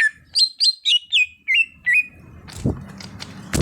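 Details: Greater green leafbird, an untrained bird brought into song, gives seven ringing whistled notes, each a brief upslur ending in a falling slide, followed by rustling and handling noise.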